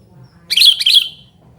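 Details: Sooty-headed bulbul calling noisily, a recording used to lure wild birds and to tutor quiet captive birds; two quick harsh chirping notes close together, bright and bubbly, over a faint low hum.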